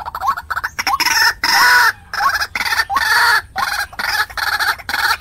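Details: Trap lure of a calling white-breasted waterhen to attract wild birds: choppy series of nasal, hooked notes with rich harmonics, delivered in rapid bursts of about two per second with brief silences between.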